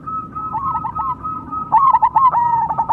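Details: Cemani zebra dove gives a steady low hum-like tone, then bursts into rapid clipped notes that run into a rolling, slightly descending coo.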